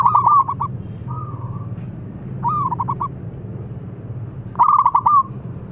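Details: A loud calling zebra dove of local Indonesian stock gives rapid, bubbling coo phrases, a sharp opening note followed by fast pulsed beats, with one quieter smooth coo and long pauses between bursts, against steady low rumble.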